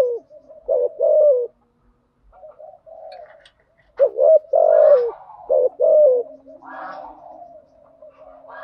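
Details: Spotted dove lure bird cooing in the urging and calling styles to rouse decoys: repeated groups of mellow, low coos with a short quiet stretch, then louder runs of several notes, each long note sliding slightly downward.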